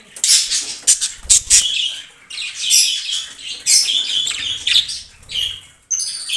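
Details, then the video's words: Breeding pair of yellow, blue and green budgerigars warbling in irregular bursts of squeaky chirps and short whistles separated by brief pauses. "Yellow, Blue & Green Budgies Breeder Pair's Adorable Singing"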